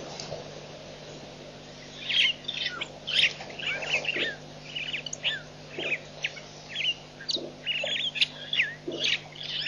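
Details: White-backed vultures, Nkorho Pan, 24 September 2007: after a quiet opening, a dense series of rasping squeals and chatters builds up and continues almost without pause, with a steady hum underneath.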